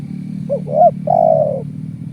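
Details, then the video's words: Spotted dove (tekukur) in 'kuk 1' coo, played as a trapping lure: two quick hooked notes followed by one drawn-out, slightly falling coo, with a low mechanical drone behind. "Suara Burung Tekukur kuk 1"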